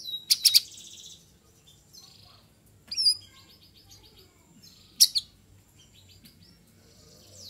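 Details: Straw-headed bulbul in the afternoon amid several bird voices: short loud bursts of bright whistled notes, some sliding rising and falling whistles, over a faint steady background hum.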